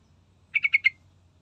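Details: Yellow-vented bulbul singing as a lure for other birds: a brisk run of four clipped, rattling notes lasting under half a second, with nothing else audible.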